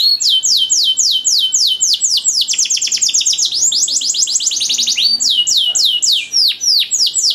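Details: Ornate canary master song for training young singers: loud, evenly paced downward whistles, a quicker rolling stretch of tightly packed notes in the middle, then slower sweeping whistles again.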